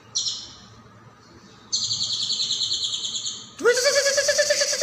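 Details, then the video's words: Leafbird training-recording song for other songbirds: short, high, buzzy strains separated by pauses, then a loud, rising, full-toned buzzy note that pulses steadily. "MASTERAN CAIJO GACOR"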